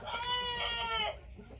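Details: Rooster of the Thai type, white-tailed, giving a drawn-out, clear, tonal crow of about one second that holds steady and then drops away.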